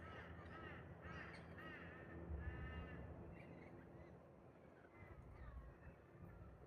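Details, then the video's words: Wild Australian Galah pair performing their bonding ritual in a park's trees: strings of harsh, grating chet-like calls coming in quick clusters, fading toward the end, with low background rumble. "I heard a strange sound at the park... then I saw THIS 😳🦜 (Wild Galah Romance)"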